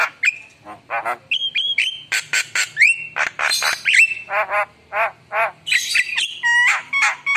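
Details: Varied Javan myna song: harsh squawks, buzzy rattles and clear level whistles follow one another rapidly, showing a rich mix of fill-in phrases.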